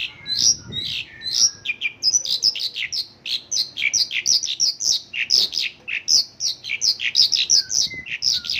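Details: Mongolian lark in full local-filled song, a fast continuous stream of sharp, varied chirps and downward slurs, with a short low thump early on.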